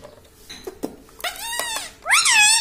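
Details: Pet parrot kept indoors, said to talk like a human, giving two loud harmonic calls near the end that rise and then fall, with a few soft clicks and a quiet room before them.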